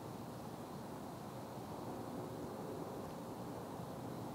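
Steady broadband hiss and wind roar with a distant aircraft-like drone, no animal calls.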